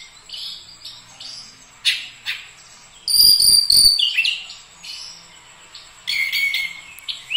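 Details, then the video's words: Oriental magpie-robin producing spaced sharp chirps and whistles, interrupted by a loud grating burst and then a rich, tumbling whistled phrase before the chirps return. "Kacer langsung gacor moncer"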